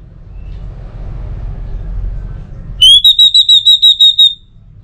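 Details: Orange-headed thrush song used to get other birds singing: after quiet background hum, a sudden run of about nine evenly spaced, clear high whistles on nearly the same pitch.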